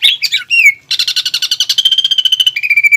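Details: Greater green leafbird master song with a pelatuk bawang fill, used to train and prompt caged birds for contests: scratchy varied notes, then a fast pulsed trill settling into a steady high whistle.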